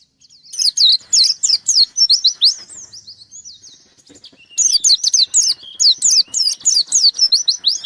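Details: White-eye singing vigorously to challenge an opponent: two long bursts of rapid, shrill downslurred chirps, separated by a quieter pause of soft twittering.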